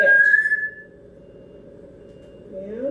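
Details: Captive female African grey parrot at home, excited and restless just after returning from a friend's house, imitating a smoke alarm chirp: a brief bright whistle, then a low steady hum, ending in a short rising slurred note.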